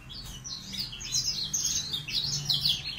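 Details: Young male F1 Yorkshire canary practising its song, giving a soft, rambling stream of high twitters and brief trills over a low background hum.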